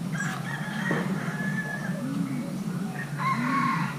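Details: Young male Thai hybrid spotted dove being paired with a mate, giving two low, rounded, arching coos about a second apart, over a steady low hum, with other birds chirping and a rooster-like call higher up.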